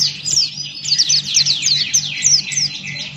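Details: Loud, dense 'ngalas' song from a male Buxton's white-eye singing with open beak, a rapid unbroken tumble of high, slurred, twittering notes that barely pauses, with a faint low hum behind.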